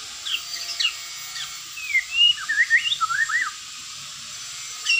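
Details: White-rumped shama, a bird of South and Southeast Asia, singing a soft series of varied slurred whistles, rising and falling, over steady background hiss; the notes are spaced and melodic.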